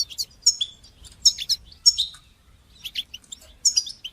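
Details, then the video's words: Goldfinch batbata and satsata style song for teaching young goldfinches to sing: quick, high, liquid chirps and twittering notes in clusters, with a brief pause midway. "تقنيات تحفيز طيور الحسون لتشجيع نجاحها في التغريد بتبتة وستستة"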